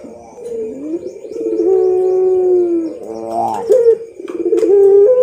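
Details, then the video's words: Champion pelung Barbary dove (puter) heard in a training song: drawn-out level coos, a short rising trill, then renewed long coos with brief clicks, a faint hum behind. "MASTERAN SUARA BURUNG PUTER PELUNG JUARALANGSUNG RESPON"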